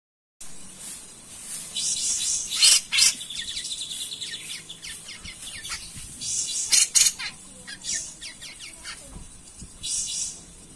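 A grey-cheeked bulbul gives sharp, high chirps and quick twittering bursts, with a short buzzy trill and brief pauses between phrases.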